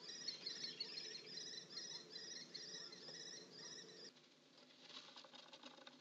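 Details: House sparrows briefly together in the nest: a steady run of short, bright chirps repeated about three times a second for four seconds, then quieter rustling and soft scratching.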